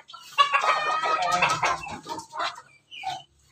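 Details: Red-combed chicken of mixed Pelung, Bangkok and Ketawa breeding, kept on a farm in Banguntapan near Jogja, giving a rough harmonic crow lasting under two seconds, then scattered short clucks and a few chirps.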